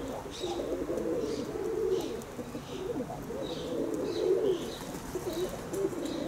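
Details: Kept pigeons murmur in a steady chorus of low, rolling, throaty coos, with faint high chirps of small birds repeating above.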